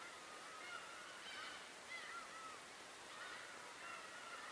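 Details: On Tobishima, many birds give short nasal, slightly rising and falling calls every second or so, over a constant rushing background.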